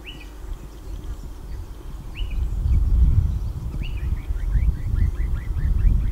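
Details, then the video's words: Swift parrot calling: a few sharp, high chirps early on, then a quick run of short descending chips near the end, over strong low rumbling background noise. "Swift Parrot call"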